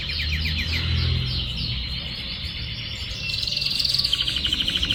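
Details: Young canary, described as a promising future breeder, whose song is still settling: rapid repeated trills and rolling chirps, high and bright, ending in a fast, even, buzzy roll with a steady pulse.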